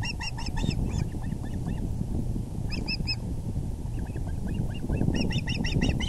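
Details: Osprey on the VGCC nest, evening of April 6, 2020, 6:30 pm EDT, as the male brings a large fish; loud bursts of ringing whistled chirps alternate with softer, lower cheeps, repeated in quick runs against steady low wind noise.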